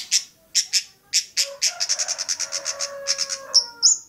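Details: Long-tailed shrike at Bobotsari giving spaced high chips that speed into a rapid regular chatter of some fifteen notes, ending with two thin rising whistles; a faint lower hum runs underneath.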